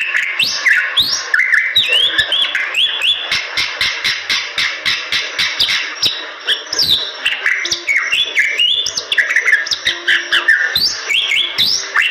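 A Bali myna sings nonstop, mixing loud rising and falling whistles with harsh, chattering notes in quick, varied phrases.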